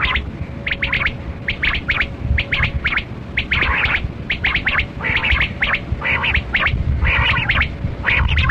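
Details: Repeated harsh, gargling chatter from a Kali Kirak batera quail, tied to quail hunting; dense clusters of scratchy notes roughly every second above a steady hum and low rumbling background.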